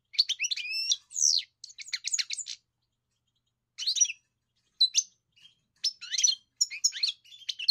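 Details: European goldfinch, a kept bird in song training, sings twittering phrases with a long whistled note and a quick trill, then falls silent for over a second before resuming with scattered chirps.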